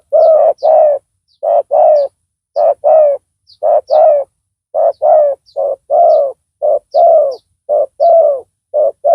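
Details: Decoy spotted dove with a big voice luring a rival. It gives a long, steady sequence of paired coos, a clipped note followed by a fuller downslurred one, repeating about every second, over faint high bird chirps.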